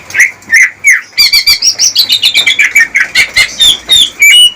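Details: Greater green leafbird song used to court a female and bring her into breeding readiness, kept for captive breeding: loud, varied whistled phrases, falling slurred notes then rapid trilled and chattering bursts, high and bright throughout.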